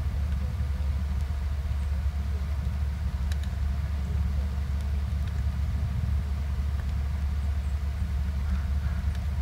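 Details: Continuous deep engine drone, like an idling vehicle, fills the recording with a few faint ticks and no animal calls.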